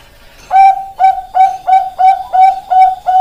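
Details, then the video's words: Loud, rhythmic song of a Bangkok-type zebra dove: eight crisp cooing notes in quick succession, each with a clean, slightly rising onset, close and clear. "Perkutut Bangkok Suara Top Markotop"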